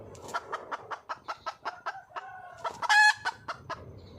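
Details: Junglefowl hen calling for a male in the wild: rhythmic clucks about five per second, broken by a longer drawn-out note and a loud harsh squawk near the end before the clucking resumes.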